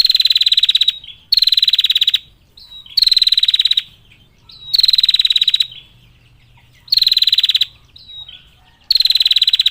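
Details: Long 'ngetir' ticking of a female bar-winged prinia calling males: six shrill, rapid pulsed bursts, each near a second long, spaced roughly every one and a half seconds, each introduced by a faint short whistle.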